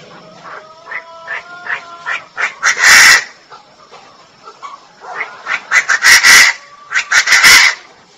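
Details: A female Chinese francolin calls in bursts of quick, rasping notes that climb to loud, harsh peaks, heard three times. Faint steady tones run through the opening seconds.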